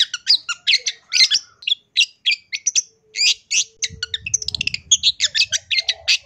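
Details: Long-tailed shrike, heard in an active song full of varied fill phrases: dense harsh, scratchy bursts and rapid chattering notes in quick succession, with a brief low rumbling noise partway through.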